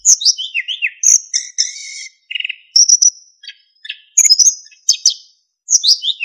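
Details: Energetic narcissus flycatcher song meant for training other songbirds, rich in fill-in phrases and clear flute-like whistles: falling slurred whistles, sustained high notes, short buzzy trills and sharp chips in rapid, varied succession.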